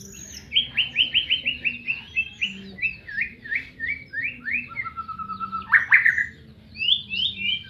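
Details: White-rumped shama from Medan singing: fast runs of repeated chirped notes, then a level rattling trill lower down, followed by a bright burst and more quick slurred phrases, over a faint low hum.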